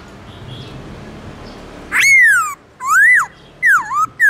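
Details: Black-throated laughingthrush singing in the morning in its forest voice style: loud, clear whistled notes that slur down then up, delivered in three separate phrases after a quiet opening with faint background hiss.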